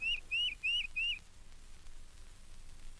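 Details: Tufted Titmouse, a regular at the feeders of Mountain Lake Sanctuary, Lake Wales, Florida (1970 record): four quick, clear, sprightly whistled notes, each slurring up then down like a rapid peter-peter phrase, then quiet.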